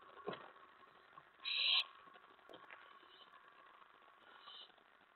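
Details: Nighttime owl nest scene from May 15, 2017, at 11:28 PM as prey is delivered: one short, loud hissing screech stands out against a low murmur, with a faint click and softer rasps afterward.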